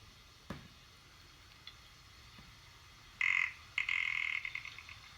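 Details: A ptarmigan, a chicken-sized grouse of high mountains and the Arctic, gives two harsh, frog-like grating croaks, the second breaking into a short stuttering rattle, after a few seconds of near silence.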